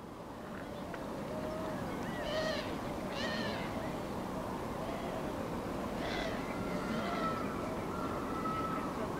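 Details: Iberian azure-winged magpie bathing and feeding, Ria Formosa Natural Park, Olhão, Portugal, late December 2016: four nasal, arched, wheezy calls in two pairs, over a steady roar of background noise with faint thin whistles.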